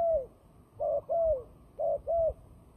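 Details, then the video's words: Turtle dove giving a fighting call, a bird used for trapping. It makes a falling coo, then two pairs of short, mellow coos, each pair a quick double note, with a quiet background. "fighting dove"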